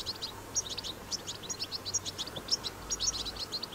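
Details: Wild European goldfinch recorded in nature, singing a strong batbata-style song: rapid, high, tinkling twitters and chirps in dense bursts, with short bright notes repeated continuously over faint low background hum.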